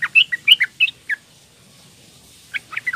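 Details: Calls of a young female Sooty-headed bulbul to attract males: a quick run of bright chirping notes, a silent gap of over a second, then a few more chirps.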